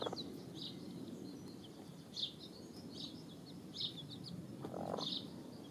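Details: Hens and chicks dust-bathing together; short, high peeping chirps come in scattered bursts, several close together, over a steady low rustling and outdoor background noise.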